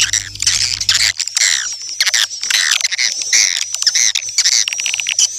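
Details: Swiftlet chatter: continuous overlapping rasping chirps and twitters, some falling in pitch, forming a busy unbroken wall of high calls over a thin steady whine, with a low hum at the start.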